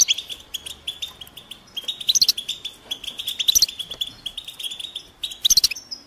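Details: European goldfinches chattering as a group in nature; the mating and readiness calls are said to make males sing. Steady high twittering is broken by loud bursts of clipped, ringing notes near the second, third-and-a-half and fifth-and-a-half seconds.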